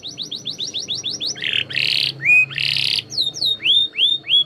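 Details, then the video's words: Singing canary giving a varied phrase: quick series of falling whistled notes, then harsh buzzy squawking bursts, followed by rising and falling clear whistles; faint low hum in the background. "Burung kenari gacor"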